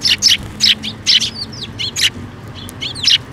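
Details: Sparrows coming to be fed at a bridge over water at a shrine, May 2024: loud, dense chirping, harsh broad notes alternating with thin down-slurred tweets, several birds calling close together without pause.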